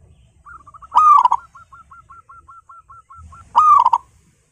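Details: Domestic local zebra dove in full, loud song meant to coax other doves into singing: two strong rich coos about two and a half seconds apart, linked by a steady string of quick, soft, clipped notes, with faint low rumble beneath.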